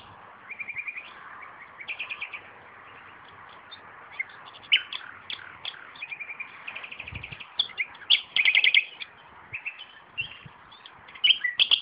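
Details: Nightingale singing around tomatoes in a garden: a long, varied stream of whistles, buzzy trills and fast repeated notes, growing louder and busier in the second half.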